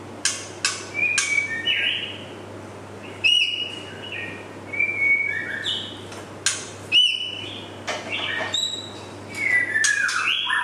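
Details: Young male white-rumped shama in song: varied clear whistles, rising slurs and level notes, broken by sharp clicks and brief harsh bursts, with short pauses between phrases over a low hum.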